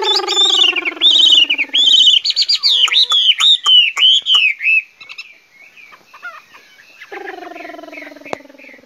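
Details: Chinese hwamei (Garrulax canorus), song.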